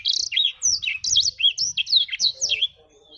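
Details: A black-throated canary sings a fast chain of high, warbled notes, each sliding down or looping, about a dozen in three seconds, ending in a thin fading whistle.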